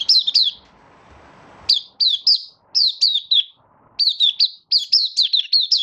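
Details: Caged Malaysian Oriental white-eye in minor moult, building form, giving its 'buka sing' opening song on 24 August 2023: bursts of high, thin, sharply bending whistled notes in quick runs, separated by short pauses with faint background hiss.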